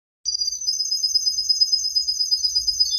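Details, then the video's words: Tame canary in full, lively song: one continuous rapid high trill, finely pulsed and steady for nearly three seconds, slipping slightly lower at the very end, with faint low thumps underneath. "Suara Burung Kenari Gacor Jinak"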